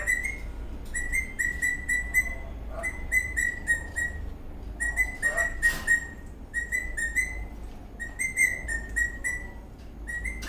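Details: Eastern rosella parrot, dancing and cheerful, repeats short bright whistled notes roughly four per second in phrases separated by brief gaps, with a few clicking sounds in the background.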